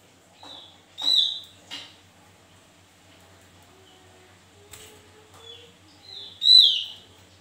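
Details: Javan white-eye in energetic song: two loud downslurred whistles several seconds apart, with softer low chirps and quiet sliding notes in between.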